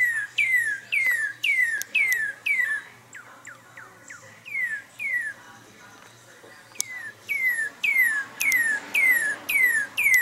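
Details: A male northern cardinal, singing just outside a window where he feeds, calls his fledglings to come and eat with rapid runs of loud, clear, down-slurred whistles, about three per second, pausing between phrases over a faint hum.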